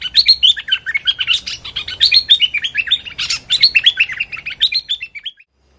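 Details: Decoy streak-eared bulbul in a trapping setup, calling at a captive young female. A steady stream of quick, bubbly chirps and looping whistled notes with a few scratchy bursts, ending abruptly in silence.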